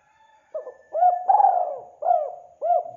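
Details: Lure call of a spotted dove, loud and clean: a short lead note followed by a run of hollow coos, the second one long and rolling, the rest shorter and evenly spaced about half a second apart.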